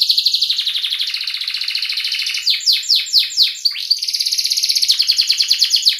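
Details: Canary song used to train young canaries, in the Indonesian gacor ngerik and ngerol style: rapid rattling trills with a burst of steep descending sweeps in the middle, then another fast rolling trill.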